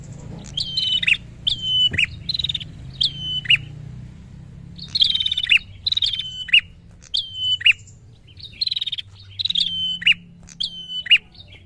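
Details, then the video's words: Agitated prinia calling to lure and provoke a rival. A repeated phrase: a high whistled note slurring slightly downward into a sharp dropping chip, with faint buzzy ticks, about once per second in two bursts separated by a pause. Low hum underneath. "Burung Prenjak Gacor Pikat Emosi Lawan"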